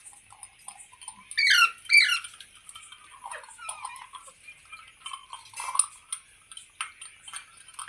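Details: Green parrot giving two quick, loud, rasping calls close together, followed by softer scattered chirps and mutterings over a faint hiss.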